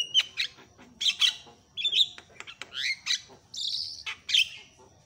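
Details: Loud Javan myna calls used to rouse other mynas: varied squawks, whistled notes and rasping bursts delivered in uneven clusters with short gaps.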